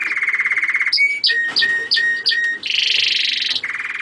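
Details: German crested canary singing a lower steady trill, then short sharp chirps and flat whistled notes, followed by a loud high rattling trill and a return to the lower trill, with some background noise.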